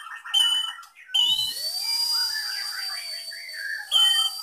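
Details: Caged Medan white-rumped shama sings a song filled with imitations of lovebird, canary and cililin: bright high chirps, a long steady whistle with a dipping lower tone beneath, rapid warbled notes, then sharp chirps again.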